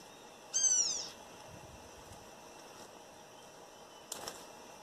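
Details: Campo troupial, wild, calling in a northeastern Brazilian backyard: a single loud, rasping, downward-curving call, then quiet before a brief burst of fainter chirps.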